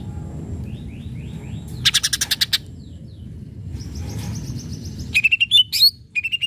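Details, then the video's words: Greater green leafbird in full song, used to provoke rivals into answering. Bursts of rapid buzzy pulses alternate with clear, high whistled notes and fast chattering phrases over a low background rumble. "cucak ijo gacor RANGSANG LAWAN Bikin ijo bahan IKUT NYAUT EMOSI"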